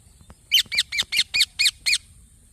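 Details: Green baby parrot giving a bout of seven harsh, rapid chirps at an even pace, each note stacked with bright overtones, with a faint steady high hiss behind.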